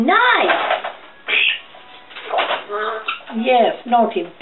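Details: A female African grey parrot, kept as a pet, chatters to herself indoors: a quick run of speech-like syllables mixed with sliding whistled tones that rise and fall, with short pauses between bursts.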